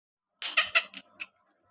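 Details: Black francolin (Kala Teetar) of the Allaw line gives a short harsh call: four or five rasping, broadband syllables in quick succession, the last one separated by a brief gap, against silence.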